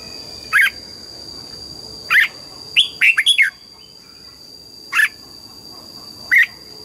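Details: Red-whiskered bulbul in morning song, double-note wild style: single sharp whistled notes roughly every one and a half seconds, broken mid-way by a rapid run of five bouncing notes, with a steady thin whine beneath.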